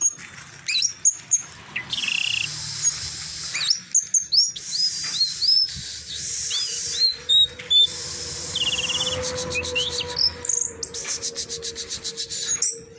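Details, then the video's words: Orange-headed thrush in the 'teler doyong' song style, raised by hobbyists, giving clear whistled slurs, sharp rising notes and buzzy rattling phrases in uneven bursts, with brief silent gaps and a faint steady background tone. "Anis Merah Teler Doyong"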